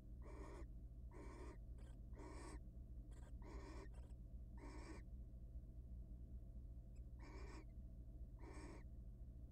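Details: Wild barn owls at a research nest box mate before egg laying with a burst of about nine rasping screeches. Some come quickly in pairs, then a pause before two more, with a low electrical hum behind.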